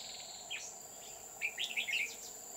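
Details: Red-whiskered bulbul used to lure birds during trapping on An Phu mountain, Huong pagoda, 20 October 2019; one sharp note, then a rapid cluster of clear chirpy warbles over insect drone.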